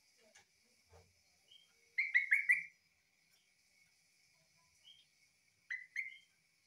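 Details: Song of a yellow-vented bulbul, locally trucukan, likened to a green leafbird: two quick clusters of bright, chirpy notes with sharp downward slurs, about four seconds apart, over a faint steady high whine and a few soft clicks.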